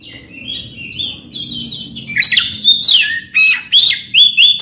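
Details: Oriental magpie-robin song meant to coax a quiet bird into singing: soft, wavering whistles build into loud, clear slurred phrases, downward swoops and bright upturned notes in short, spaced bursts.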